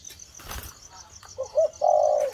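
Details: Spotted dove, described as a 'thổ' bird starting to coo, gives two short soft coo notes followed by a longer, louder level coo, over a faint high insect drone and a brief rustle.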